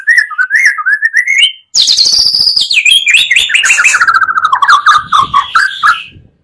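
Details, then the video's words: Magpie-robin song mixed from two voices to provoke rivals: rippling whistled phrases, a brief gap, then a loud high descending cascade of rapid notes sliding lower and lower. "pancingan murai 2 kali lebih menaikkan emosi muarai."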